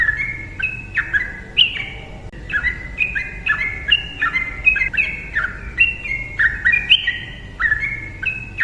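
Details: Yellow-vented bulbul delivering a chatty ropel song meant to provoke silent birds to sing: bubbly, slurred chirps tumbling up and down in rapid, almost continuous phrases, with a faint hum underneath.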